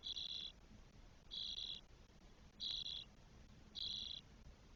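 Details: Nestling Spotless starlings, four chicks twelve days old, in a nest in Spain on 1 June 2022; four loud scratchy hiss calls, evenly spaced about every 1.2 seconds.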